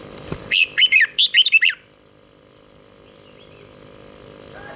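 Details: Red-whiskered bulbul song for training young birds: a single phrase of about seven quick, bubbly whistled notes, followed by quiet background hum.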